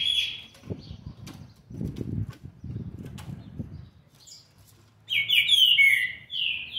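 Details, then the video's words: Seven-month-old green-winged saltator, recorded 13 November 2020: after a short whistle and several seconds of low thumping and rustling, it bursts into a rich, fast, warbled phrase of slurred whistles. "trinca ferro ( BRABO ) FILHOTE DE SETE MESES E 20 DIAS JÁ MOSTRANDO SUA GENÉTICA"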